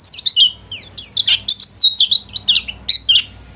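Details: Caged home-class white-eye singing a short, busy phrase of high twittering notes, some whistled and level, others dropping sharply, tumbling along quickly for under four seconds.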